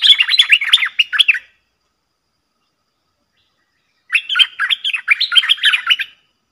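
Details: A pair of Streak-eared bulbuls fiercely dueling in song, recorded 30 October 2021: two rapid bursts of chattering, bubbling notes, each about a second and a half long, separated by several seconds of silence.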